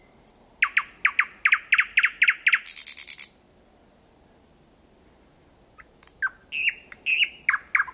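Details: Thrush nightingale singing very close at night in Kiili parish on 8 May 2020 at 01:23, about 4–5 m away; a high whistle, then a fast run of loud chock notes, a buzzy rattle, a pause, then sharp descending whistled phrases.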